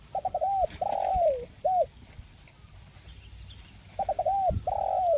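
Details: Spotted dove with a 'mersik' crisp voice, 'kuk 1' style, repeating its phrase twice. Each phrase has stuttering notes, an arched coo, a long descending coo and a brief final coo, with a quiet pause between them.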